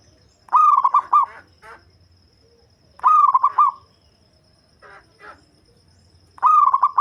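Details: Deep-toned local zebra dove, fit for luring, cooing three loud phrases about three seconds apart. Each is a fast, trilling series of pulsed notes, with a few quieter broken calls in the gaps.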